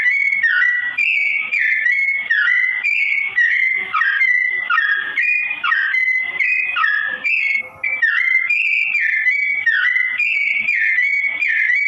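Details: A sooty-headed bulbul sings a slow-paced song meant for training straw-headed bulbuls: an unbroken chain of rich whistled phrases that rise, fall and hold, roughly one phrase per second, briefly pausing near the end.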